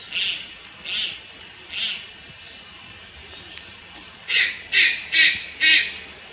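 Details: Juvenile Malayan night heron, Lugu, 30 July 2022: three moderate hoarse calls spaced nearly a second apart, a pause, then four louder, quicker grating rasps.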